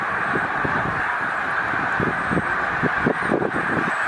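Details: Huge flock of about 100,000 snow geese at Middle Creek wildlife refuge during spring migration, stopping over on the way north to breeding grounds; a dense, continuous roar of overlapping honks with faint lower clucks pulsing through.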